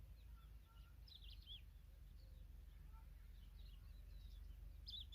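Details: African Familiar Chat chicks being fed by their mother give thin, high, wavering begging chirps in short bursts, fairly faint over a steady low background rumble.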